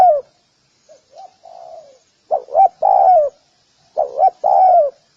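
A spotted dove gives low, hollow coos: soft short notes, then a doubled 'croo-croo' leading into a longer drawn-out coo, repeated twice in a clear, quiet setting.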